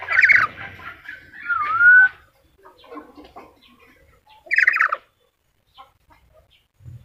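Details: Black-capped lory with loud harsh screeches, a short whistled note dipping then rising, and softer chatter between, ending in a low thump.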